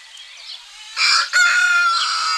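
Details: Rooster in a Greek village on a spring morning, crowing: a loud, hoarse crow breaking in after a soft start, briefly dipping, then held as a long strained note over faint background calls.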